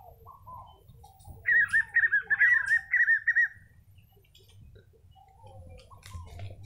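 Spot-backed Puffbird giving a quick run of about eight wavering, whistled notes over two seconds, with faint background chirps and a low rumble.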